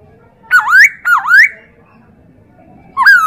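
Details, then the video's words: Tutor recording of a Chinese hwamei for teaching other birds: two loud whistles that dip then sweep upward, a second of near silence, then one more bright falling whistle. "MASTERAN POKSAY HONGKONG"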